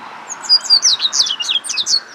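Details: Double-collared seedeater, a juvenile male, from central Argentina, singing a quick run of high, sweet notes that slur up and down, about a dozen in two seconds, clear against a faint background hiss.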